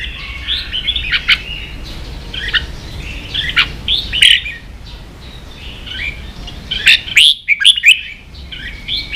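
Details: Kept red-whiskered bulbul in 'ché' song meant to teach young birds and fire up others; repeated phrases of liquid, warbling whistles with sharp accented notes, broken by short pauses, and two louder bursts.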